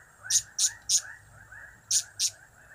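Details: Blue-crowned hanging parrot giving cap-cap, kiak-kiak, crap-crap calls. There are three squeaky, very high notes, a short pause, then two more. A steady chatter of lower chirps runs behind.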